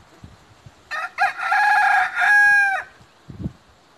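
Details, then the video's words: Rooster crowing once: a stuttering start breaking into a loud, rich, harmonic cock-a-doodle-doo about two seconds long, ending in a sustained level note, with faint clicks and knocks before and after. "Rooster sing"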